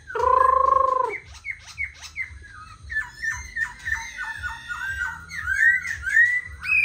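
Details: Black laughingthrush, a tame caged bird placed on a table, singing while dancing: opens with one loud, rich, drawn-out note, then breaks into a rapid chattering run of short clipped notes, ending in bright upward-sweeping whistles.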